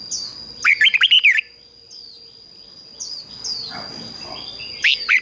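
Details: Red-whiskered bulbul serving as a decoy to lure wild birds, singing a fast warbled phrase, then a lull with faint high slurred chirps, then the start of another bright phrase.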